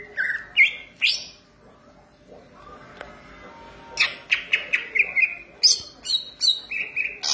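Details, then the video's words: Green leafbird singing energetically: a few sharp whistled phrases, a quiet gap, then a fast run of bright, chirpy notes and slurs. "cucak ijo gacor manteb banget"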